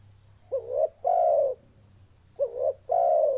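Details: Spotted dove cooing: two phrases about two seconds apart, each a short rising hoot, a brief wavering note, then a long, steady, slightly falling coo. Faint low hum throughout.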